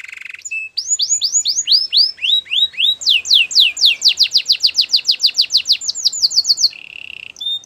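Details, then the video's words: Domestic canary training song: rapid series of rising and falling whistled sweeps at about three per second, shifting into a faster run of sharp downward strokes, then a steady buzzy trill and bright whistled notes at the end. "Canary's training song"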